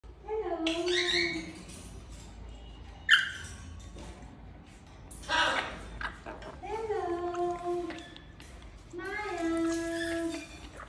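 An African grey parrot gives a morning greeting: several drawn-out, voice-like phrases, each a second or so long, over a faint indoor hum.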